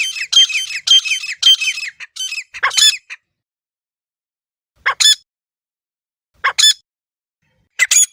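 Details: Wild grey francolin (desi teetar) hunting call recorded outdoors: three seconds of loud, rasping repeated notes, then silence broken by single sharp calls about every one and a half seconds.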